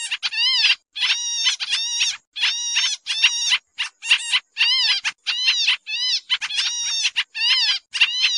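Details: Pied triller call played to lure birds for trapping, described as agitated: long series of grating nasal notes rich in overtones, arched and curved shapes, chattered in quick bursts with tiny gaps.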